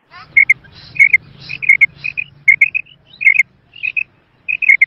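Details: Female quail, Mianwali, giving sharp high double and triple chirps in quick clusters roughly every half second to second, over a soft low rumbling background.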